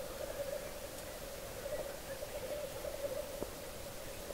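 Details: Black grouse lek in Hedmark, Norway, around 3:30 am, heard from a bog edge with males about one kilometre away: a steady, mid-pitched bubbling coo from several males, rolling on without a break, with a faint sharp note near the end.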